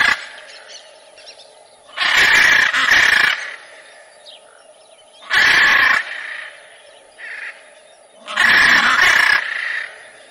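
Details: Macaw repeating loud, harsh, raucous squawks in three bouts a few seconds apart, some doubled, with softer calls heard between them.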